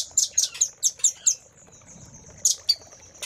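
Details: Velvet-fronted nuthatch master song for training caged birds: a short series of six loud high sharp chips spaced evenly, a quiet gap, then two more chips.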